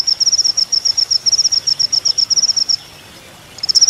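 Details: Sunbird (kolibri ninja) from a training master for songbirds: high, rapid stuttering trills broken into short bursts for nearly three seconds, a pause with faint background hiss, then another high burst.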